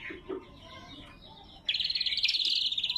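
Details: Greater green leafbird master and lure song: after a quiet stretch of faint notes, a sudden loud buzzing trill bursts in and holds steadily for over a second.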